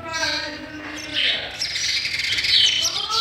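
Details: Sparrow nestlings being fed, making a dense run of high, thin chirping that swells, softens and swells again, with a faint lower hum behind it.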